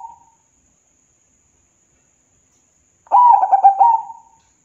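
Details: Local zebra dove cooing to prompt reluctant birds to sing: a brief low coo, a pause, then a rolling burst of short mellow notes trailing into a sustained soft coo.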